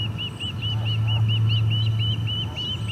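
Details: Osprey at the Charlo nest, 8 August 2020, parent landing with no fish; evenly spaced, arched high whistles repeated about four times a second, set against a constant low hum.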